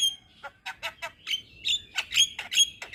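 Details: Young Javan myna singing lively with many varied phrases, recorded as tutor material for training other mynas: a fast run of harsh squawks and chattering notes, broken by sharp whistled bursts, loud bright tones repeated roughly every quarter second.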